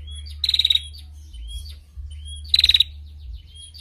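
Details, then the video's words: Female prinia singing as a tutor recording for other birds: two brief bursts of rapid clicking trill two seconds apart, interspersed with soft rising whistles over a low hum. "Prenjak Betina Gacor Untuk Masteran l Ngetirr Rapat"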